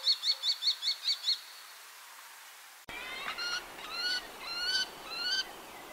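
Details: Common kestrel (Falco tinnunculus), Portugal, call: a quick run of six sharp, high kee notes, then after a break several whining, rising-and-falling calls. A faint outdoor hiss underlies it.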